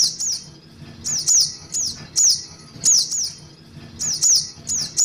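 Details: High piercing chirps of a young little spiderhunter, played as a lure: quick downward-slurring notes in doublets and singles, repeating roughly every second against a soft low-frequency murmur.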